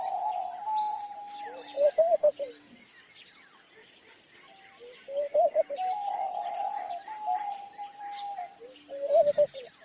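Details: Homing pigeon giving long, even hummed tones broken by quick wobbling lower notes, in two bouts separated by a quieter gap; thin chirps of other birds run high above throughout.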